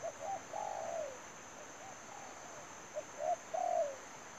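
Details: Spotted dove kept as a trapping lure coos twice: a few short lead-in notes and a longer sliding coo. The phrase repeats after a pause of about two seconds, over a steady high whine.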